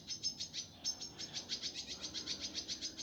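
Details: Indigo flycatcher song in a rough, fast, densely packed master style kept for training birds: a steady stream of short, high, scratchy notes repeated rapidly and evenly for three seconds, with little else audible.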